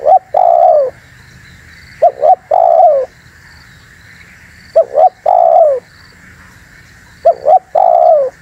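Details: Spotted dove luring call: four phrases of two quick short coos leading into a long, mellow, descending coo, spaced two to three seconds apart, with a faint constant high hum behind.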